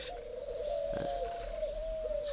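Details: Spotted dove with red bill and yellow legs, likened to the 'phượng hoàng đất' type, kept at a dove aviary in Ba Vì, Hanoi, Vietnam; a long, steady, low humming coo holds one pitch for about two seconds.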